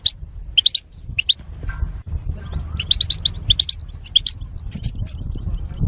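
European goldfinch singing a rapid, tinkling run of bright high chirps and twitters in quick bursts, over a low background rumble.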